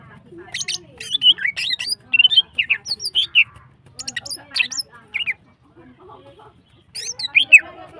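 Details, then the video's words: A female greater green leafbird sings in long gacor bursts to spur other birds on: rapid sharp chirps and slurred whistles in dense phrases, a short quieter lull, then another bright burst. "CUCAK HIJAU BETINA GACOR HIPER NEMBAK PANJANG BIKIN BIRAHI SEMUA BURUNG"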